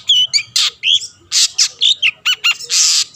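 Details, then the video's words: Long-tailed shrike singing loudly to goad rivals into calling: harsh, noisy squawks alternating with clear whistled upslurs and quick ringing notes, delivered in a brisk, uneven sequence. "burung cendet gacor pendongkrak emosi lawan‼️ pancingan / masteran handal"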